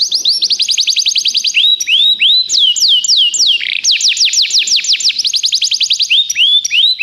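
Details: Continuous song of a Belgian canary used as a tutor (professor) singer: unbroken runs of loud, rapid, high whistled notes, shifting between quick rolls and slower swooping downslurred phrases.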